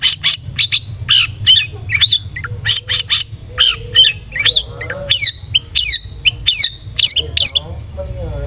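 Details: Cendet, the long-tailed shrike, pouring out lure song intended to excite rivals: a dense run of harsh chattering bursts and sharp whistled slurs, many notes per second, with quieter buzzy phrases near the end.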